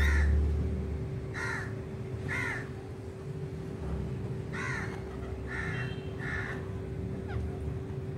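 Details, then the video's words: Pet rose-ringed parakeet, said to speak Urdu/Hindi words: five short, harsh, arched, harmonic calls spaced about a second apart, over a steady low hum and room noise. "mitthu talking with My best parrot ever speaking in urdu/hindi"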